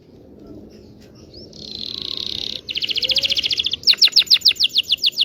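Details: Local Indonesian canary singing as a teaching model for young birds: a sustained high buzzy trill, then a quicker rattling trill, ending in rapid repeated sharp descending chirps, over a low background rumble.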